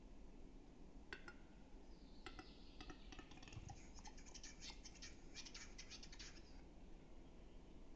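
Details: Western capercaillie in Metsis, Estonia, April 2018: dry, wooden clicks that start sparse and speed into a rapid clattering run, ending in a scraping, whetting sound, over low rumbling background noise.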